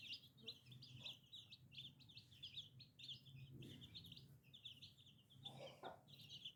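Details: A chorus of chicks gives rhythmic high cheeps in quick bursts over a low background hum.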